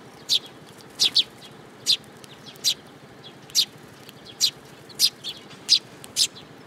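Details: Sparrows taking food from a person's hand at a Tenmangu shrine, July 7 2022; clear, abrupt chirps repeated every half second to second, one quick double note early on.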